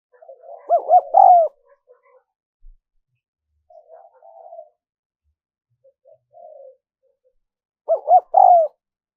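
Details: Lure recording of a spotted dove: a loud cooing phrase of rapid rising-falling notes ending in a longer falling coo, quiet scattered soft coos in between, then the same loud phrase again.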